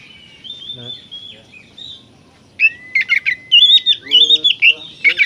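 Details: Oriental magpie-robin delivering 'gacor' song to provoke aggression and tail-spreading in other kacer: a long, thin, level whistle gives way to a run of bright, warbling phrases with clipped chirps.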